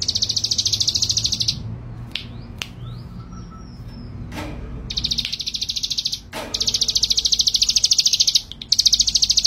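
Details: Male ciblek gunung, a bold and frequent singer: long, fast, high-pitched pulsed trills repeated with short gaps, plus a few thin whistles and sharp snaps in between, over constant low rumble.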